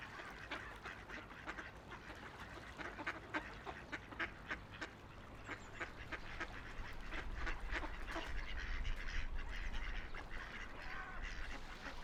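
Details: Ducks on a quiet river, floating and splashing, with a busy run of rapid, overlapping nasal quacks at uneven intervals over a constant low rumble of river flow that swells in the second half.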